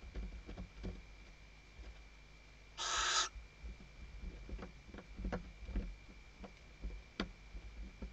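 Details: One short, harsh screech from a female barn owl calling the male, set among steady clicks and scrapes as she stuffs the nest; webcam in the Ebro Delta, Tarragona, Spain, 2023 season.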